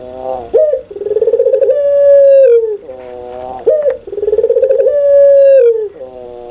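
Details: Very active puter pelung spotted dove, voice loud and clear, gives two full phrases about three seconds apart, each a quick pulsing coo swelling into a long level hum that falls away at the close.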